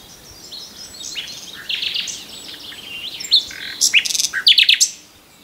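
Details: Common nightingale singing a soft, varied warbling passage that builds into sharp, loud clicking notes and quick repeated chips near the end.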